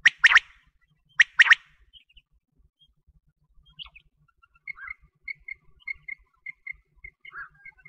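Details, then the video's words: Quail calling, a recording used for wheat-season hunting: two loud, sharp, clicky multi-note bursts near the start, then a quieter stretch with faint high pips and soft harsh notes. "Quail sound for wheat season hunting || BATER Ki awaz || Batair ki awaaz || Bater ki Baang"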